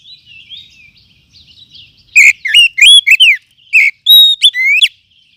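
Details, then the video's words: Wild forest oriental magpie-robin lure call for tutoring: quiet warbling twitter first, then a loud sequence of sharp downslurred and upswept whistles with brief gaps. "Kumpulan Suara Pikat Burung Kacer Hutan 2024 ‼️Cocok Untuk Masteran"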